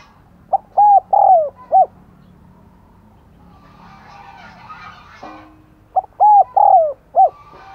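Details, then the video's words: Spotted dove decoy calling to entice wild doves, two repeated four-note coo phrases, mellow and hollow, with a burst of twittering birds and background noise between them. "Chim Cu Mồi Thúc Gáy Gọi Mới Nhất / Kích Bổi Siêng Gáy , Có Cả Thúc"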